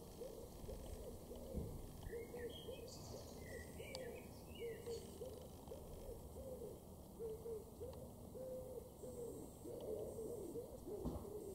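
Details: A common wood pigeon in a garden in Weener, East Frisia, northwest Germany, in June 2022 gives soft, deep, husky coos in a steady run, with brief twittering from small birds and a faint hum.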